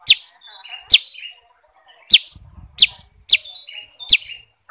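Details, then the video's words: Very active Sooty-headed bulbul. Loud, sharp, high chips come roughly every second, several trailing into short level whistles, with quiet soft notes in between. "kutilang sutra super gacor"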